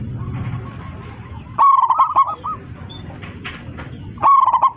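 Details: Local zebra dove calling its flock with a loud, full voice, singing steadily. It gives two bursts of stuttering, rolling coos that waver around one pitch, with a low background rumble and faint murmurs between the bursts.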